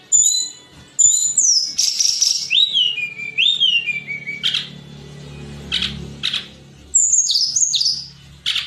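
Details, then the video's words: Mountain flowerpecker (tledekan gunung) song from a recording for training songbirds: high thin whistles, sliding downward notes and sharp buzzy bursts in irregular phrases, with a low hum beneath. "Audio Masteran Tledekan Gunung Suara Tembus & Cadas"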